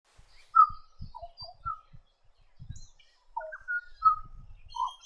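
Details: Black Butcherbird giving clear fluted whistles, some level and some dropping, in short phrases around two loose bursts, with thinner high chirps from other birds and low thumps underneath.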